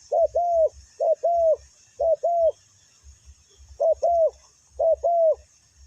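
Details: Ground-decoy spotted dove luring wild birds: paired hollow coos, a short note then a longer one, repeated about once a second in clusters, with soft low thumps beneath.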